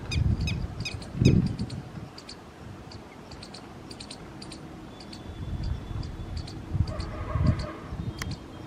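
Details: Red-wattled lapwing calling: bursts of sharp, high, piercing notes repeated rapidly in short series, with gaps between bursts, over low rumbling wind or handling noise.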